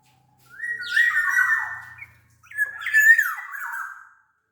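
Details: Black-naped oriole from Sumbawa, a large-bodied bird, singing loud fluting whistles: two rich phrases each about a second and a half long, gliding and wavering, with a short pause between them.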